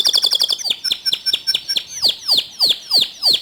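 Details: Canary song intended to stimulate other canaries: a quick burst of short high notes, then loud clear whistles sweeping steeply downward, repeated about every quarter second and slowing toward the end.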